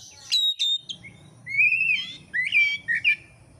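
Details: Kacer, the oriental magpie-robin, from Indonesia, recorded as training material for songbird keepers: several sharp high chirps, then long rising whistled slurs and warbled notes in varied phrases over a quiet low hum.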